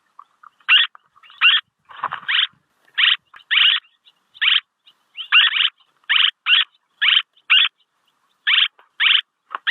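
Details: Swallow luring call: a steady run of about sixteen short, grating chirps over ten seconds, some doubled, with no other sounds.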